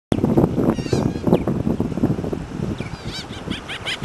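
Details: Laughing Gulls at Fairhope, Alabama, give bursts of nasal, repeated 'ha-ha' laughing notes over a steady low rumble of background noise.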